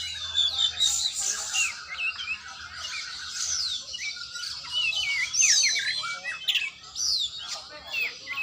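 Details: Oriental magpie-robin (kacer) singing during a training session: a dense stream of varied high whistles, sharp chirps and short sliding notes, with a faint low hum underneath.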